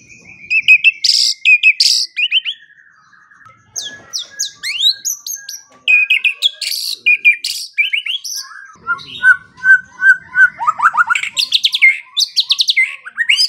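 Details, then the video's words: White-rumped shama singing, used as a morning and evening training and lure recording to get quiet shamas to sing: a rich, varied run of whistles, upslurred notes and bright chips in quick bursts. "Pancingan dan Masteran Pagi dan Sore Hari Murai Pendiam Langsung Ikut Bongkar Isian | shama bird"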